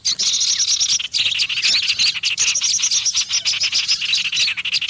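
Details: Loud call used to lure small birds: a continuous wash of high, overlapping chirps and rapid ticking series, with short bright whistles rising above the chatter throughout.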